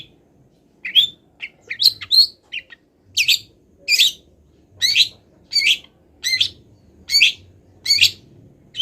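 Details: A cendet, or long-tailed shrike, not yet through its moult, opens with scattered thin squeaks and then settles into loud harsh chattering notes repeated roughly every two-thirds of a second, wild-bird imitations, soft hum behind.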